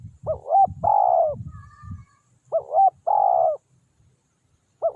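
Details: Spotted dove (tekukur) decoy luring wild doves: paired coo phrases, a short dipping double note followed by a longer level coo, repeated twice, with low rumbling handling noise at the start.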